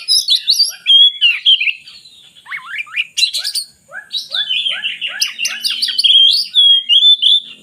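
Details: Varied oriental magpie-robin song, meant to get lazy birds singing, mixing high chattering phrases with a steady series of short, downward-slurred notes repeated about twice a second and ending in sweet whistles.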